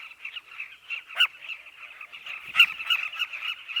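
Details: Chorus of southern carmine bee-eaters at a nesting colony in an African riverbank: continuous overlapping chirping from many birds, with two louder, harsher calls standing out above the busy background chatter.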